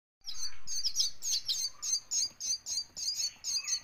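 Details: Green parrot chicks being hand-fed, giving harsh, high raspy chirps in rapid bursts, about four per second, steady and insistent through the feeding with a faint lower squeak in the background.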